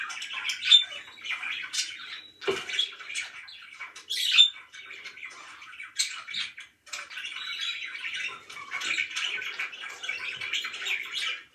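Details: Budgerigars kept as pets, a long stretch of continuous soft chattering warble punctuated by a few sharp high whistled chirps and a brief click.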